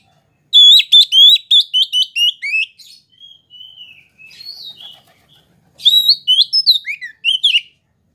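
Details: Oriental magpie-robin of the kacer poci type singing to provoke other magpie-robins into agitated answering. Loud, sharp, rapidly repeated whistled notes give way to a softer warbled passage, then another burst of loud rising and falling whistles.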